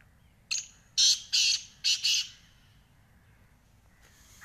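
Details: Harsh, rhythmic call of a black francolin: a clipped introductory note followed by two doubled rasping bursts, then near silence with a faint sound starting near the end.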